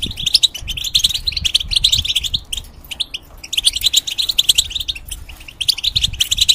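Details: Moulting European goldfinch in a cage, singing to teach young hybrids: dense, rapid twittering of high tinkling notes in two long bursts with a brief break between them. Faint low background rumble.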